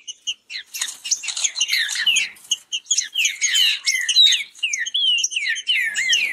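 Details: Green-winged saltators in a fast song contest, owned birds. Quick bursts of bright whistled and buzzy notes alternate with short gaps, building into a continuous dense chatter of overlapping phrases.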